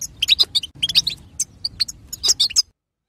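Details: Female European goldfinch chatter used to prompt a male to sing: rapid clusters of bright, high-pitched tweets and twitters, tumbling in uneven groups before stopping abruptly.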